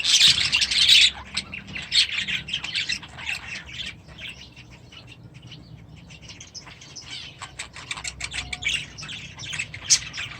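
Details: Young budgerigars, hatched last year, in their first days in a new aviary at the start of a new season; a loud burst of dense high chirping chatter fades into softer scattered twitters, with some wing flapping.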